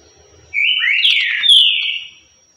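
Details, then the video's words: A green-winged saltator gives one loud whistled phrase of the currucutil song type, holding a steady note, then sweeping up and sliding back down over about a second and a half. "Trinca Ferro -Cântico Currucutil"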